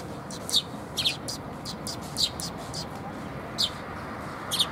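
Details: Sparrows visiting a Tenmangu shrine for food on 30 October 2021 make a series of quick high chirps, single and doubled, scattered across a few seconds above soft background noise.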